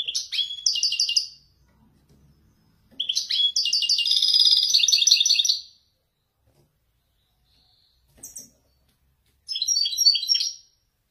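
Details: Moroccan goldfinch, wedani style, performing Marrakech-type descents: several separate bursts of rapid, bright twittering and buzzy trills, the longest near three seconds, broken by pauses and one brief high chip.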